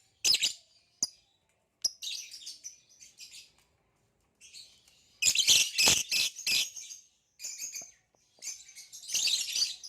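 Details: A green hybrid male lovebird with a Nyasa lovebird, kept in captivity, chattering in high, scratchy phrases, with sharp clicks and a loud dense twittering stretch, then more squeaky bursts.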